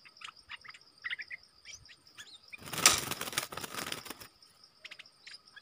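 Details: A stripe-throated bulbul kept as a trapping decoy gives short, bright chirping notes in quick bursts, broken by a loud rustle of wings, with a steady high insect whine throughout; recorded 25 August 2021.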